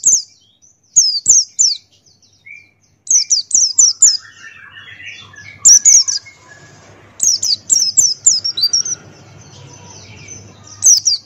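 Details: White-eye of the Buxtoni type delivering a tutor song: rapid bursts of three to five high, falling tweets repeating every second or two, with quieter warbling notes between bursts.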